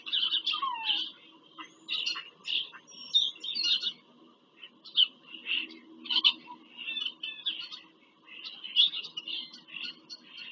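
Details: Nest visit by bald eagles in Pennsylvania farm country, 5 February 2023, captured on a live nest cam: repeated bouts of shrill, piping chatter, each burst a second or so long, over faint background hum.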